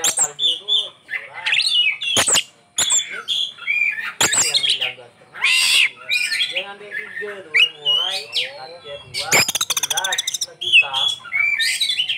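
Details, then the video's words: Oriental magpie-robin (kacer) with a super-rich 'isian' song, a long, fast medley of whistles, trills, slurs and repeated harsh scratchy bursts, phrases separated by short gaps. "Ini Die Burung Kacer Isian nya Super mewah"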